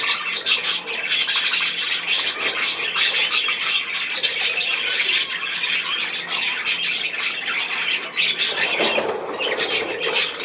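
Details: A flock of budgerigars, 10 June 2024, keeps up a steady noisy babble of rasping squawks and short tweets, many birds calling at once throughout.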